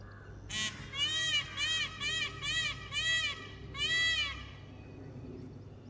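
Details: In Gurugram, Haryana, India, just after the rains in the mating season, a male peacock displaying its feathers to a group calls after females: six loud, nasal, trumpeting calls, about two per second, over a low steady hum.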